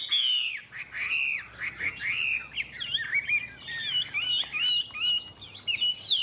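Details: A caged Chinese hwamei delivers a loud song of looping, swooping whistles. Sweeping slurred notes at the start give way to quick, varied, bouncing phrases.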